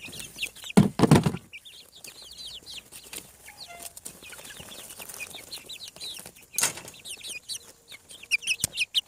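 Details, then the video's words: Chicks hatching on a farm, seven weeks: continuous overlapping high-pitched peeping from a group, joined by bumps, rustles and a brief low tone. "Chick sounds. Hatching From Egg 7 weeks"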